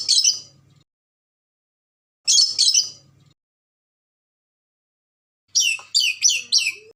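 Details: Vocal red lory from Ambon letting out single harsh shrieks a couple of seconds apart, then a rapid series of four shrill, scratchy calls.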